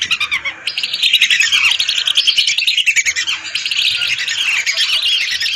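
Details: Lesser whistling ducks in a large flock of hundreds, a lure recording. A loud, packed chorus of high whistles that swells and sinks in uneven waves.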